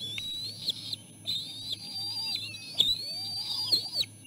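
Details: Bald eagle eaglets squabbling for food their mother has brought to the nest; long piercing whistled wails, wavering in pitch, in three main stretches, with softer lower squeaks and a steady low hum.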